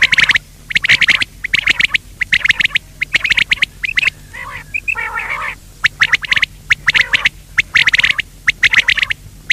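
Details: Quail lure sound for morning net-hunting: quick, sharp, high-pitched clicking bursts, grouped in short runs with brief pauses between them, a softer, blurred chattering in the middle.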